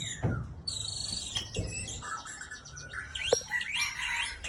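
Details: ['A white-rumped shama kept as breeding stock delivers rich, rambling song: high sustained whistles, quick trills and warbling phrases that dip and rise, with a few soft knocks in the background.']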